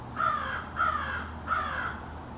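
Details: A small family of American crows in a backyard, calling back and forth in an extended exchange. Three harsh, hoarse caws come evenly spaced about two-thirds of a second apart over a faint steady background hum.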